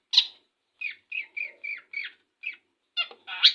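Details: Long-tailed shrike singing in the morning just after bathing: a loud opening squeal, then a row of short slurred whistles spaced about every third of a second, ending in harsh, scratchy notes.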